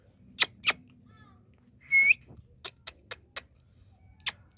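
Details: Indian ringneck parakeet, a pet talking parrot, mixing loud clicks with a single upward-sweeping whistle, then a few softer clicks and two louder ones at the close.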